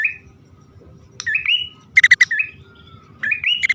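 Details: Bar-winged prinia (prenjak) male and female calling as a lure: short rising twanging chirps separated by a quick burst of sharp ticking notes, with pauses between.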